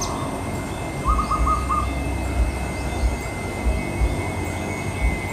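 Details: Wild zebra dove in a tree in a Javanese home garden on a clear morning, calling its partner; one short bout of quick soft coos, with steady background hum and low thumps.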